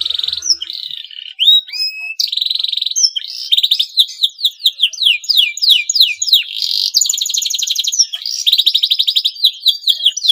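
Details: Male canary in breeding condition, chirping to stimulate rival canaries to sing, gives a long varied song of sustained whistled notes, sharp slurs and rapid trills.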